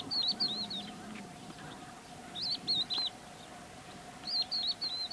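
A crested lark gives three short bursts of clear, fluty whistles, each a quick run of three or four notes, spaced a couple of seconds apart over a steady hum.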